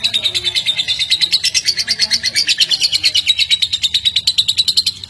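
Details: Lovebird sound meant to stimulate pet lovebirds, a loud fast rapid-fire series of high chirps, about three per second, running continuously without a break.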